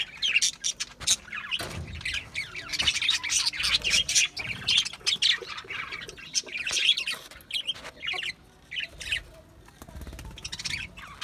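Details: Busy budgerigar chatter: rapid, squeaky chirps and short squawks pile over one another almost continuously, easing off somewhat toward the final few seconds.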